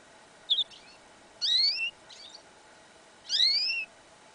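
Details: Yellow isabel goldfinch-canary hybrid in a winter field, January 2015: a short sharp chirp, then two long upward-sweeping whistled notes about two seconds apart, with faint twitters between them and a low hum behind.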